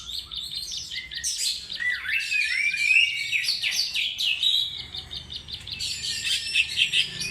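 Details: Lure song of an Oriental magpie-robin: loud, tumbling phrases mixing bright whistles, rising sweeps and scratchy chirps, flowing almost without a break for the whole stretch.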